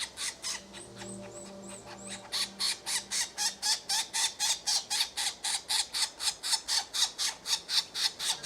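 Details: Red-bellied woodpecker delivering a long, rapid chain of harsh, grating notes about four each second, strong and even; a few high slurred whistles from another bird and a faint low hum near the beginning.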